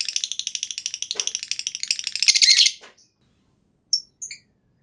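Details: Lovebird long chattering trill, used to set other lovebirds singing: rapid buzzy pulses growing louder and harsher for almost three seconds, then stopping, with two short chirps after.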